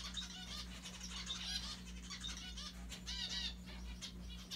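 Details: Mandarin zebra finches at play with a Santa Claus hat give dense, overlapping short nasal calls and chattering notes, with a continuous low hum underneath.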